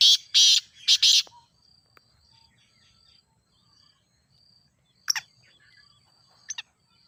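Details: Teetar (grey francolin) call used for training: a rapid set of three harsh, shrill bursts at the start, followed by quiet with a thin steady tone and a couple of brief sharp chirps.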